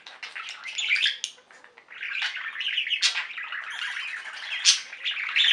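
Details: Singing flock of pet budgies: busy warbling chatter with sharp chirps and rasping squeaks, a brief lull near the second mark, then continuous overlapping twittering to the end.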